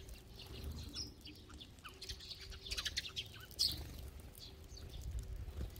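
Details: A flock of sparrows feeding together gives short, high chirps and tweets in irregular overlapping bursts, with a faint steady hum and soft low rustling beneath.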